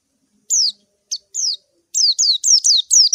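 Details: White-eye calling a rival in a clear recording: high, piercing, downward-sweeping chirps, first spaced, then packed into a rapid run of about seven notes.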